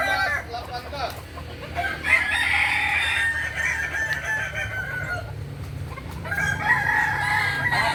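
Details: Kukuak balenggek contest crowing in Kota Solok, May 2024: several roosters give long, bright, rolling crows that swell around two to three seconds, soften in the middle, then rise again near the end above a steady low drone.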